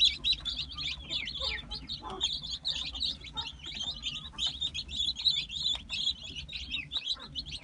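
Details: Brahma chicks of light, buff, gold and dark varieties peeping continuously, a dense chorus of high thin cheeps from many chicks, steady and overlapping, with faint low background hum.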